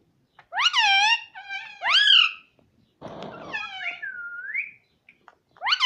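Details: Pet talking parrot, said to say "Mummy" and "Mitthu"; rich, nasal, rising-and-falling speech-like syllables, a brief rustling noise burst midway, then softer upslurred whistled notes.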